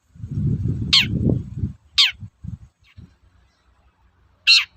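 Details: Cendet (long-tailed shrike) giving the toet-toet call used to provoke shrikes: three harsh descending notes, the first two close together and a louder third after a gap, over an opening burst of low rumbling noise and thuds.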